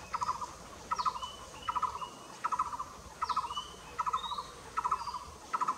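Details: Blue-throated barbet calling at Nam Nao: a steady series of hollow, rolling phrases of three or four quick pulsed notes, repeated roughly every three-quarters of a second, with faint high chirps of other birds behind.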